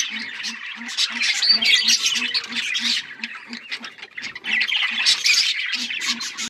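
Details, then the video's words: Budgerigars sing in an overlapping jumble of high chatter and squawks, while a low pulsing note repeats steadily, roughly three to four times a second, beneath. "Budgies singing"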